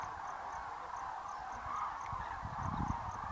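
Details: Massive flock of Common Cranes, over 40,000 birds, taking off at evening toward roosting sites after feeding on grass tubers, Great Rann of Kutch, January 2013; dense, unbroken chorus of overlapping trumpeting calls, with soft low thumps.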